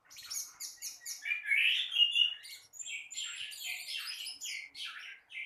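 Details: Orange-headed thrush in full morning song, delivering rapid high-pitched twittering notes, a louder warbled middle section, and varied whistled phrases in an irregular, continuous flow.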